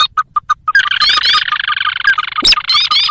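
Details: Sintar lure recording for trapping this rice-field and marsh bird: five short evenly spaced notes, then a dense, loud chorus of harsh chatter and rising whistles.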